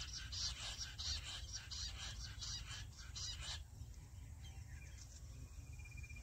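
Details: Jungle bush quail calls played back to lure birds into a trap in a small jungle area: rapid, shrill, high chirping bursts repeated for about three and a half seconds, then stopping, over steady low rumbling background noise.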